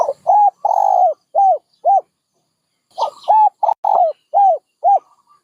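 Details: Two cooing phrases from a dove, each made of quick short coos with a long held note in the middle, with a short silence between them.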